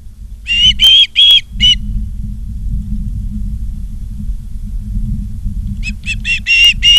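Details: At an osprey nest in Charlo, Montana, on 28 August 2023 at 16:08, live camera: two bursts of piercing whistled chirps, four notes, then a pause, then a quicker series of five or six, with constant low background rumble.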